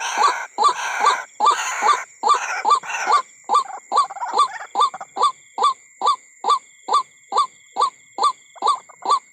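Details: White-breasted Waterhen at night around a corn field, giving hoarse, croaking notes about two per second, overlapping at first then steady and regular, over a constant high insect drone.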